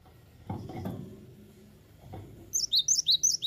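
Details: Clattering and knocking sounds, then a cinereous tit, called gelatik batu, breaks into quick high whistled notes, about six sharp downward-slurred phrases in the last second.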